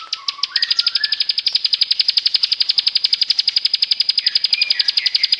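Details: Bar-winged prinia filler song used as a lure for mute birds: a long, rapid, evenly spaced train of high clipped notes, with lower whistled slurs at the beginning and end.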